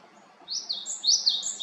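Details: Japanese tit in Haenam, South Korea: a short, bright run of high whistled notes, each sliding down into a lower note, delivered in quick succession.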